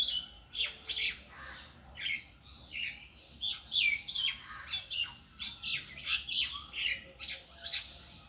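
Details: Single bird sitting in a tree gives high, sharp squawking chirps, repeated roughly twice a second in an even, persistent series, with faint background noise.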